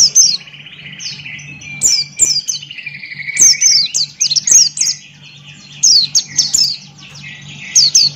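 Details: Buxton's white-eye singing 'gacor ngalas', beak open: varied song mixing high sharp downslurred chirps with lower sliding whistles and warbles, in loud bursts every second or so over a low hum.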